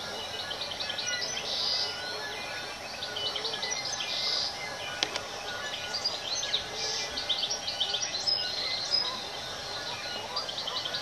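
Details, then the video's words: Bellbirds calling: many short, high chirping notes repeated in quick, overlapping bursts from several birds, over steady background hiss. "Bell Birds"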